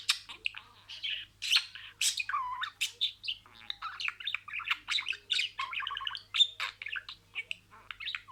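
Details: Pet budgerigar reciting words: continuous fast warbling chatter of clicks, buzzy syllables and speech-like stacked tones, with one low whistled swoop early on.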